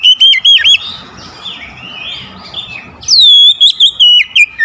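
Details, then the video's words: Oriental magpie-robin song used as a lure to prompt reluctant birds to start singing: loud, clear whistled phrases with sharp pitch wiggles open and close, separated by softer warbled notes in the background. "KACER PEMIKAT KACER MALAS BUNYI LANGSUNG TERPANGGIL IKUT GACOR"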